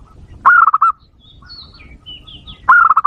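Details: Zebra dove call used to lure and provoke wild doves: two rapid bursts of soft, level cooing notes about two seconds apart, with thin high chirps and whistles of another bird in the gap.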